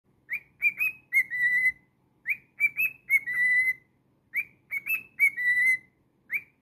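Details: Pet cockatiel singing a whistled phrase near one pitch: a short rising note, quick chirps, then a long steady whistle. The phrase repeats about every two seconds, three times, in a quiet room.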